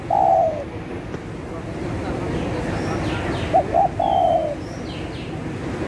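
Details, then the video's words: ['Spotted dove used to lure birds: the tail of one long falling coo, then a full phrase of two short notes and a drawn-out descending coo, with faint high chirps from other birds and steady low noise.'] "Tekukur Gacor Untuk Pikat,langsung Nyaut."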